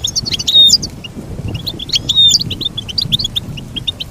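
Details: Goldfinch song: rapid twittering of short chirps with a few clear drawn-out whistled notes, running in bursts over a soft low rumble.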